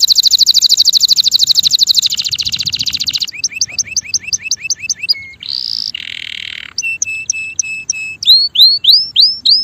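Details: Male canary singing: fast buzzy trills at high pitch, then a series of repeated rising whistled notes, a brief nasal buzz, a flat whistled phrase and ending rising whistles.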